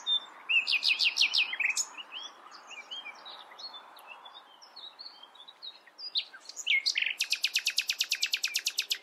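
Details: Singing common nightingale delivers loud buzzy trills and varied whistled phrases, followed by a long rapid run of identical sharp notes repeated like a rattle.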